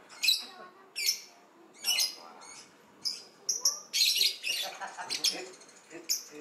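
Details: A captive-born lovebird, said to be in breeding condition ("on heat"), gives shrill, harsh screeching chirps in bursts about once a second, with quicker chattering notes toward the end.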